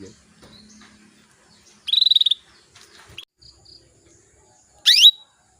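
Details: Hen canary call meant to draw males and get them singing sooner: a rapid buzzy trill, scattered faint ticks, then one steep upward-sweeping note settling into a brief whistle.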